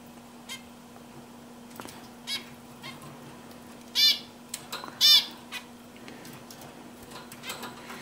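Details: Zebra finch singing on a swing, giving two loud, nasal, buzzy notes about a second apart over soft ticking sounds.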